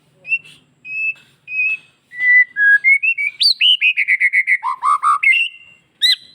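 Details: White-rumped shama of Bali type singing energetically with many fill-in phrases to provoke other shamas to reply; steady whistled notes open the song, then a quick run of repeated bright notes and lower swooping whistles.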